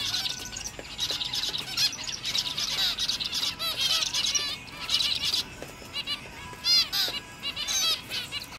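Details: Seven young zebra finches, seven weeks after hatching, sunbathing outdoors in a big cage for the first time, give quick, high, nasal chirps in overlapping busy bursts, with soft wing flutters between calls.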